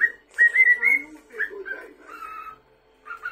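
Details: An indoor cockatiel whistles short clear notes that rise and fall in quick bursts, interrupting television dialogue that is faintly audible.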